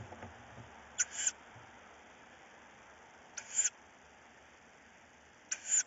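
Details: Tawny owl chicks fighting over prey at night: three harsh, hissing high-pitched screeches, each about a third of a second long, spaced roughly two seconds apart, over quiet background.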